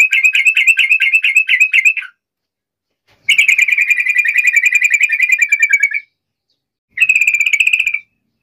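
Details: Yellow-vented bulbul song meant to provoke a rival into answering: three bursts of rapid, even, buzzy chattering, the middle one nearly three seconds long, separated by silent gaps.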